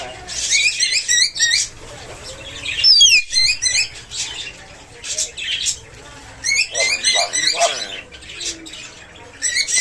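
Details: Caged pet myna talking: rapid runs of squawky, speech-like syllables in repeated bursts, a sharp whistled note near the middle, with a constant low background hum.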